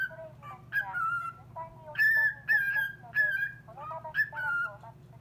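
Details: A cockatiel, reacting to a call-centre woman's recorded voice, sings a run of clear whistled phrases, sliding and warbling notes repeated every second or so, over a low steady hum.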